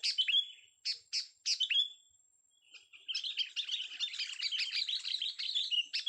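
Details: Young sooty-headed bulbul: a few loud, sharp chirps, a short pause, then a long rapid stream of high, scratchy twittering notes running to the end.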